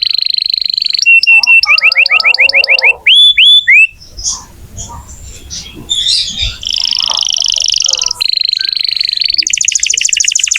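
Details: Canary singing actively, used to prompt young canaries or ones that have stopped singing: rising whistled slurs repeated quickly, rolling buzzy trills, a softer scratchy passage, then a fast high trill at the end.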